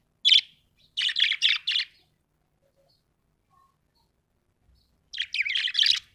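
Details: A happy budgerigar chirps clearly: one sharp note, then four quick buzzy chirps, a long silence, and a closing rapid run of warbling chirps.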